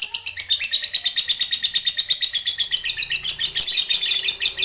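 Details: Lovebird fighter in a sustained ngekek trill, used to set other lovebirds trilling; a rapid, high, buzzy chatter of repeated pulses, roughly three per second, continuing steadily throughout.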